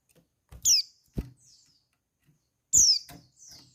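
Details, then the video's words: Female white-eye call used to stir males into mating mood and prompt them to reply: two sharp, high descending notes, each followed by a softer thin buzzy trill, with knocks and taps in between. "Call Burung Pleci Betina Perangsang Birahi Pleci Jantan"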